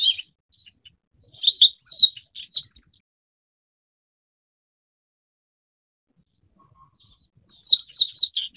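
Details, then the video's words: Forest wagtail, Dendronanthus indicus, a wintering migrant in Taiwan: two short bursts of high, sharp, rhythmic notes several seconds apart, each a quick jumble of chirps, with near silence in between. "山鶺鴒/Forest Wagtail"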